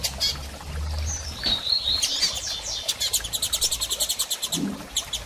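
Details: Female Double-collared seedeater soliciting mating. Thin high chirps and a brief whistled phrase give way to a fast series of sharp, regularly spaced ticking pulses. A low hum sounds in the background.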